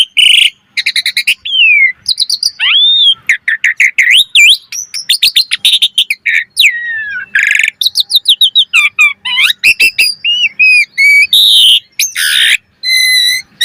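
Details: Gacor mompa full-variation song of an Asian pied starling: a dense, continuous stream of clear whistles, sweeping slurs, rapid chirp series and harsh rasping bursts, almost without pause for about fourteen seconds.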